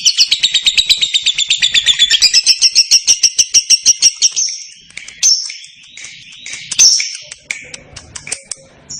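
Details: Lovebird singing the long, clear ngekek trill meant to prompt other lovebirds to answer: a rapid, high, shrill run of evenly pulsed notes for about four seconds, then scattered sharp chirps and pauses.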